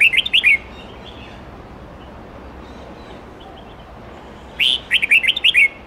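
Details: Red-whiskered bulbul, many-voiced wild-standard song of 8 to 10 notes used to train young birds; a phrase of fast bright warbling notes ends, a faint quiet stretch follows, then a full new phrase of about seven notes.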